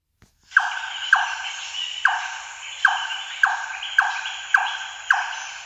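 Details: A Large-tailed Nightjar, a northern bird found in parts of Queensland's Sunshine Coast, gives a series of hard, hollow 'chonk' notes, about nine in five seconds, each with a short ringing echo.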